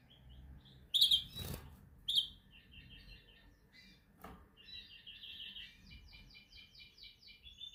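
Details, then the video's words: Canary practicing its training song, quiet and partly masked: scattered chirps and a few loud clicks and knocks, then a rolling series of repeated rising chirps toward the end over low background hum. "Your canary sings immediately when he listens to this canary singing"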